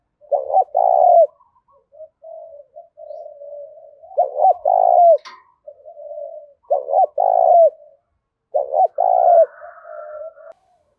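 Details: Spotted dove singing the sharp "đồng thổ" fighting song used to provoke wild birds: four loud phrases of two short coos and a long coo, about every two and a half seconds, gentler answering coos and one click between.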